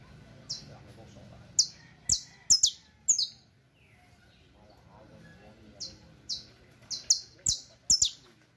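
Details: Saffron finch singing, a teaching song: clusters of high, clipped, downward-slurred chips, a quiet spell with soft murmur in the middle, then a fast run of about eight similar notes.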